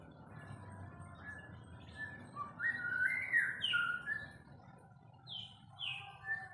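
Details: White-rumped shama singing while being sunned, a short burst of clear whistled phrases sweeping and slurring upward and downward, with quieter chirps between, over a low steady background hum.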